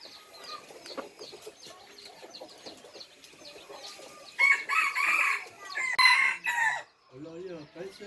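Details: Red junglefowl bred to the third (F3) generation, crowing loudly in several harsh, ragged pulses over two seconds. Before it comes a faint chirping chorus; after it, a lower, wavering cackle.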